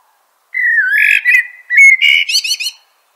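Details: Common blackbird (Turdus merula) song phrase: a low fluted whistle dipping and rising into a warbling run, ending with a rapid set of thin, high, repeated twitter notes.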